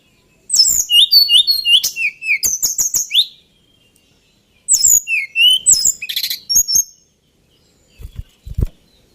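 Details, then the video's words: Male White-browed Shortwing singing two bursts of rapid, high-pitched warbling twitters with quick slurred notes, separated by a short silence; a few soft low knocks follow near the end. "Tledekan Gunung Jantan"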